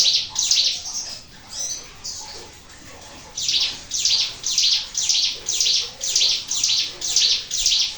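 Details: Sunda warbler lure song: a few high, shrill notes, a brief lull of fainter sound, then a regular series of loud, high-pitched burry phrases about twice per second.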